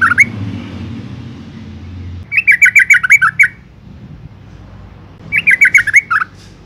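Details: Calling female yellow-vented bulbul, used as a lure to make males sing. A cut-off note opens, then two lively bursts of eight to nine tumbling chirps end in lower notes, with soft background rumble.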